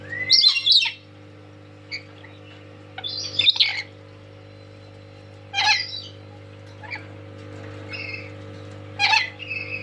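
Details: A tame lory calls loudly while dancing: separate harsh, noisy squawks every two to three seconds, some with brief whistled tails, over a constant low hum.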